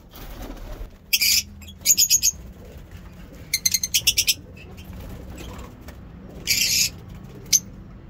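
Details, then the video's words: Lovebirds in a mini zoo, morning singing: bursts of rapid harsh high chirping in short clusters, separated by pauses, with a faint low rumble underneath. "Lovebird ngekek lovebird singing in mini zoo"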